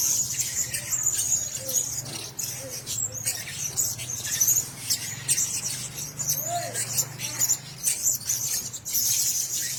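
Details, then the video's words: Shrill, high chirping from Blue-crowned hanging parrots housed together in a cage runs throughout, over a steady low hum and a few faint lower squeaks. "Sesangkar Burung Serindit 2"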